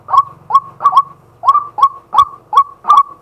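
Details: Male White-breasted waterhen giving daytime calls, captured live with a fixed camera: clear series of eight short, sharply rising croaked notes at fairly even spacing, about three per second, with a low hum early on.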